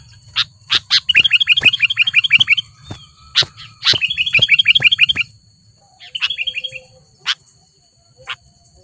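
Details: In Lubuklinggau city, a wild sooty-headed bulbul presses a rival with two rapid volleys of hooked, ringing chirps among loud clicks, followed by a quieter stretch with a few scattered short notes and ticks.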